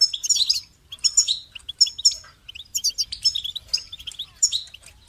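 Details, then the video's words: Clean goldfinch song: bursts of sweet, rapid twittering and buzzy chirps about one second long, separated by short pauses, with no other sounds. "Amplifying the Goldfinch's Voice"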